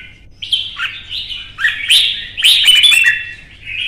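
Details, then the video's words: Red-whiskered bulbul in a heated singing contest, provoked to sing fiercely: short, rich warbled phrases with liquid whistles and sharp upward flicks, bursts clustered near the end, over a faint low hum. "CHÀO MÀO | Kích ché đấu hót căng lửa"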